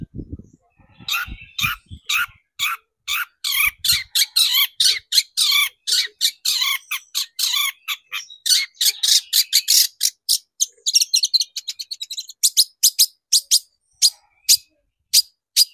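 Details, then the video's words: Long-tailed shrike song used as a lure to excite shrikes into singing: a long, fast run of harsh, scratchy broadband notes, dense at first, then spaced out and sharper toward the end, with faint low thumps at the start. "PANCINGAN CENDET BIAR EMOSI DAN GACOR"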